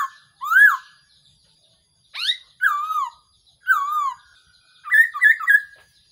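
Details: Thai decoy recording of a Black-throated laughingthrush, used for trapping: a rising whistle, then several loud, wavering whistles that fall in pitch, closing with a quick stuttered burst of three notes.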